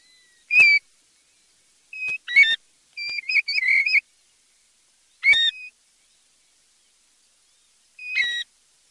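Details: European golden plover calling repeatedly with pure, plaintive whistles, some single and some in quick wavering runs, scattered irregularly over nine seconds with silence between.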